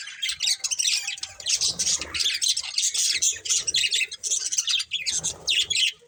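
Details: Dense, scratchy warbling from a colourful budgie breeding pair, pulsing in quick bursts roughly every half second with bright squeaks mixed in, and faint low background rumble throughout.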